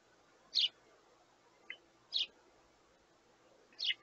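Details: Young sparrows beg for food from their parents, giving three rasping chirps spaced roughly every one and a half seconds, with a softer short note slipped between the first two.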